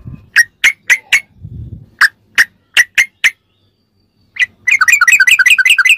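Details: Sooty-headed bulbul tutoring song for captive birds: evenly spaced, sharp whistled notes, a short silence, then a sudden fast, dense chatter of bubbly notes. A soft low rumble is heard early on.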